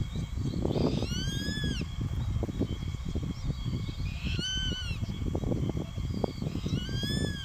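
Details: Juvenile Grey-faced Buzzard repeatedly calling at an adult perched close by, which later chases it off: several clear, ringing whistled calls, each arching up and down, spaced a few seconds apart, with constant wind rumble underneath.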